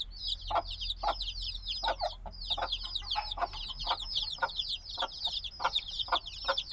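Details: Just-hatched black chicks, still needing warmth, fill the air with rapid high cheeping that slurs downward, many birds at once, punctuated by regular soft clicks and taps.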